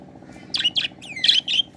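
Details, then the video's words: Budgerigar calling while playing on a swing: a quick run of four harsh, buzzy chirps with a squawking edge, one sliding downward, set over a steady low background hum. "বাজরিগার পাখির ডাক"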